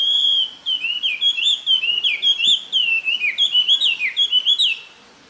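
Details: Taiwan hwamei in Jianshi Township, Hsinchu, Taiwan, April 2024, delivering a loud, rich whistled song: a fast, unbroken stream of varied slurred phrases that rise and fall, ending abruptly after about five seconds against a quiet background.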